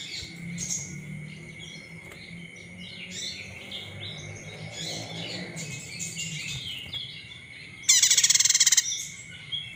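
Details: Olive-backed tailorbird call used as a lure to rouse other birds into singing: scattered soft chirps, then a loud, rapid, buzzy trill of fast repeated notes lasting under a second near the end, over a steady high background tone.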